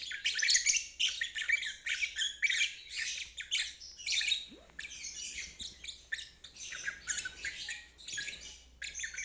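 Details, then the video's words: Lovebird singing 'ngeriwik', used as therapy for birds that have stopped singing and young birds learning. Quick, choppy, scratchy high notes in stuttering runs, slightly softer and more broken in the second half. "Terapi Lovebird ngeriwik"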